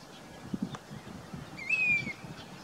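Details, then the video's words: Summer-migrant Grey-bellied cuckoo in Rajasthan, India, giving a single clear whistle that rises briefly and then slides downward, heard above a quiet, muffled low-pitched background. "Grey bellied cuckoo singing"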